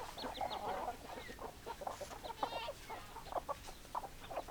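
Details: Chickens clucking: a continuous low murmur of short overlapping clucks from several birds, with occasional brief higher squawking notes, over background hiss.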